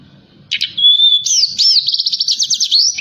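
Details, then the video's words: Lure recording of a forktail at night, meant to stir other birds into song: a clear level whistle, then a rapid rippling series of high trilled notes, with faint low background rumble. "Tledekan Gunung Gacor Malam || Suara Pancingan"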